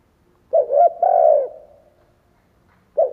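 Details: A Spotted Dove (cu gáy) used to stimulate other birds to coo gives soft, low coos: a quick double note, then a longer drawn-out coo, with another phrase starting at the end.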